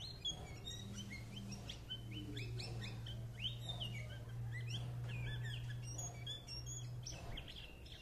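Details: White-eye twittering rapidly: a dense run of short, high chirps and sweeping notes, many overlapping, over a steady low hum throughout.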